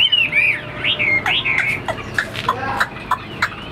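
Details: Chinese hwamei in a cage, kept for fighting, sings several swooping whistled notes at first, then breaks off into scattered short chips and knocking clicks.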